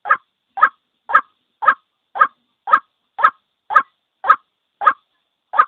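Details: White-breasted waterhen single call used as a lure for trapping birds: a harsh, mid-pitched note repeated steadily about twice per second, eleven notes in quick succession against silence.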